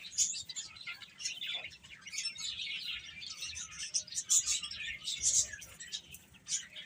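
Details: Several chicks of domestic chicken, eating and playing, keep up soft, high, overlapping chirps with occasional louder single peeps.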